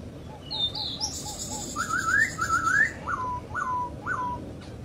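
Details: Laughingthrush in the wild: soft repeated low notes, then a rising series of quick whistled slurs, ending with three clear downward whistles spaced half a second apart; faint high calls and steady background hiss.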